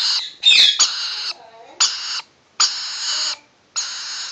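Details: Almost seven-week-old rainbow lorikeet chicks enjoying a scratch make grating, buzzy screeches, some short and clipped, others lasting nearly a second, separated by clear silent gaps.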